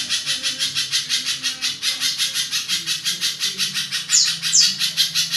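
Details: Pijantung, a spiderhunter, delivering its long rough song, prized as a tutor for songbirds; dense scratchy pulses repeat about three times a second without pause, with brief high squeaks near the end.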